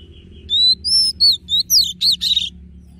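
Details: Oriental magpie-robin singing forest-style notes for song training, caged bird: clear rising whistles followed by a fast run of looping, swooping high phrases, then silence apart from a low background hum.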